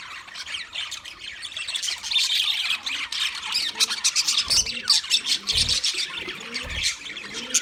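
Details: A wild budgerigar flock gives busy high chirping and scratchy squawks in a thick continuous chatter that swells after the first two seconds, with occasional low knocks below.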